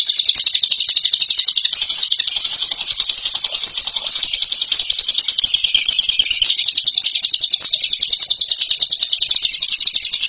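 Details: Sustained ngekek trill from a bird presented as champion: a dense, rapid, high-pitched rattle lasting over ten seconds, dipping briefly around six seconds before resuming.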